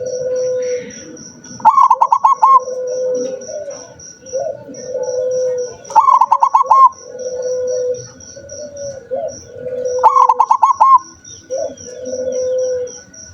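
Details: Zebra dove said to sing only rarely, giving loud staccato cooing phrases of about six rapid pulses, repeated roughly every four seconds, between softer, longer, lower coos, with a steady high electrical-like tone and rhythmic ticking behind.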